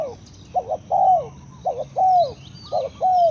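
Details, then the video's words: Low mellow cooing of a spotted dove: a short double note and a longer sliding, falling coo, repeated rapidly, with thin whistles from other birds behind. "Sound Of Spotted Dove is so good"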